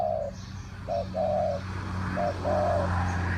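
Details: Spotted dove calling as a decoy for wild birds, 'three kuk hoi' style: a few mellow low coos, short and drawn-out, heard over a steady low hum and broad background noise.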